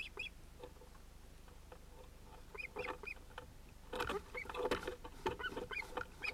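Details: Ospreys at a nest on a live camera on 31 July 2018: an adult pair with two ringed chicks, probably males. Short, sharp chirping notes with overtones come in loose series, some rising then falling, among rustling and clattering bursts near the nest.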